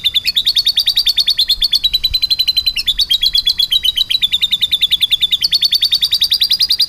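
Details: A canary delivers a vigorous, rolling song with lovebird-type phrases: continuous fast buzzy trills, pitch shifting in small steps every second or so and rising near the end.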